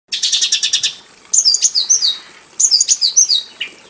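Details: Javan bush lark singing in a simple aviary cage, in lively full-repertoire song: a rapid burst of about eight buzzy high pulses, then a pause and two runs of sharp, high, descending whistled slurs.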